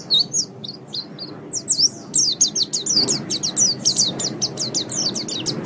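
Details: Training song of a white-eye for caged birds. Scattered high chirps at first, then from about two seconds a dense, rapid chatter of high slurred notes packed tightly together, with a low hum below.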